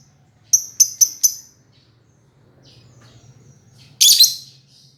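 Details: Lovebird chirping: a quick run of four sharp, high, repeated chips, then near silence with faint soft notes, followed by one louder, harsher burst near the end.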